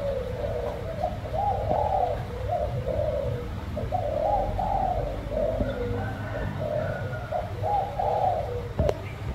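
A spotted dove gives soft, hoarse cooing phrases, one after another in an unbroken series, over a low background rumble and a faint higher chirp.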